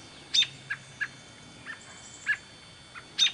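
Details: American robin fledgling recorded at Smethport, Pennsylvania: scattered thin, high chirps and short squeaky notes at irregular intervals, a few sharper and louder, over a faint steady background hiss.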